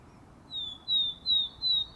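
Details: Willow tit singing in spring, a series of pure, high whistles, each note sliding slightly downward; a song thrush is also heard.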